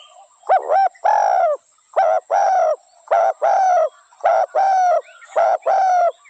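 Spotted dove giving mellow, hollow coos in pairs, a short lifting note then a longer one, repeated about every second and a half.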